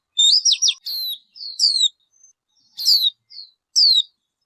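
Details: Bird calls: high, sharp whistled phrases with quick downward sweeps, given in short bursts separated by brief pauses, in a clean recording with no other sounds.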